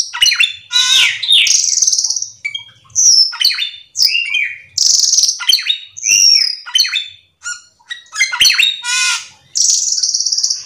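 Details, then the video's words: Cucak keling in full song, played to lure other cucak keling into singing: a loud, nonstop medley of shrill whistles, sharp chirps and buzzy trills, high phrases tumbling over each other with barely a pause. "pancingan cucak Keling gacor teler Full isian"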